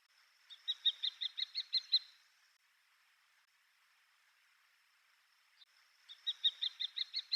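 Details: A wild common kestrel in Japan, where it is a resident bird and stops at Yonaguni while on the move, calls in two rapid bursts of shrill repeated kee notes, about eight in each. The bursts are separated by a few seconds of near silence.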